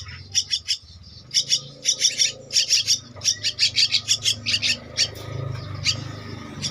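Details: Javan myna chick aged two weeks begs for food with a fast, steady train of rasping, hissy chirps, roughly one and a half per second, fading toward the end over a low hum.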